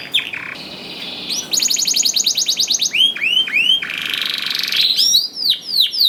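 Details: Canary singing as a lure for canaries slow to start singing: a held buzzy tone, a rapid rattling trill, then repeated swooping whistled notes at regular intervals and a final burst of arching whistles.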